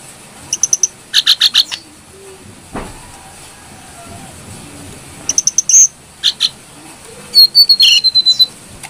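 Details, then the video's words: Brown-throated sunbird singing lively, clear phrases for use as a songbird lure: three bursts of quick high staccato chips, each under a second, ending in a long, thin descending whistle. "Pancingan burung kecil nembak,Jongkangan gacor -isian pedas birahi stabil"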